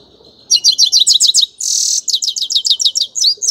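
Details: Rapid high twittering song of a grey-crowned goldfinch: quick bright chirps in a tumbling series, broken by a short harsh buzzy rasp, then more lively repeated notes.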